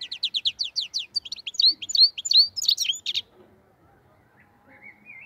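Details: Black-headed goldfinch song from Andijan, Kuva and Fergana in Uzbekistan. Quick, evenly spaced, sharp twittering notes build into a tumbling, liquid warble, then stop, leaving a faint rising whistle.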